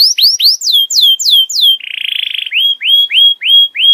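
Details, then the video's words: Canary tutor song for juvenile birds: looping rising and falling whistles, a buzzy rattle, then clear upslurred whistles repeated evenly about four times a second. "MASTERAN KENARI PAUD LEBIH CEPAT BONGKAR ISIAN"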